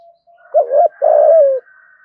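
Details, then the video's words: Spotted dove luring call to provoke fighting, one phrase of a short wavering coo and a longer descending coo over a faint steady higher whistle. "Tiếng chim cu gáy thúc đấu và gáy gọi kích bổi nhanh nổi"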